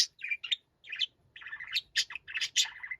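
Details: Noisy pet budgerigar shouting in quick, buzzy, scratchy chirps and warbled notes, strung into a rapid, uneven chatter with short gaps.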